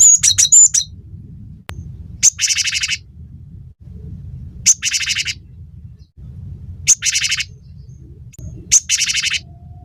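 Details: Cinereous tit heard in a tutor recording meant to prompt caged songbirds to sing: short high thin notes, then harsh buzzy chattering bursts repeated about every two seconds, over a low rumbling background hum.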